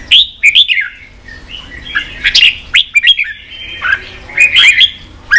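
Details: Red-whiskered bulbul singing, played to push wild-caught bulbuls into fighting form; clear rising and falling whistled notes in short groups, some buzzy sweeps, separated by quiet pauses.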